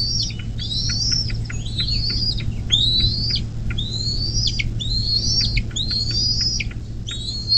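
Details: Bald eagle at the nest on the Little Miami River, Ohio, USA, 24 May 2024, 10:12, recorded by a nest cam: repeated shrill chirps, each a rising whistle cut off by a sharp drop, closely spaced, with a low electrical hum beneath.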